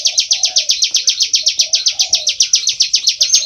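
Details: Bar-winged prinia in loud ngebren song, a nonstop burst of quick, high, sharp chipping notes, close to eight per second, accompanied by soft low burbling sounds.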